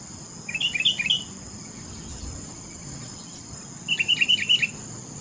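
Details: Sooty-headed bulbul giving two quick chattering, warbled phrases a few seconds apart, each made of about five rapid notes, with a constant high-pitched drone in the background.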